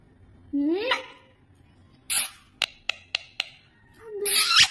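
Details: Talking pet parrot indoors gives a rising whistled glide, then a harsh burst, four sharp clicks and a loud screechy rising call to close.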